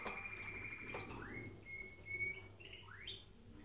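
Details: Canary song played for training canaries: long steady whistled notes, then a smooth upward slur and a quick rising sweep, with faint clicks and a low hum indoors.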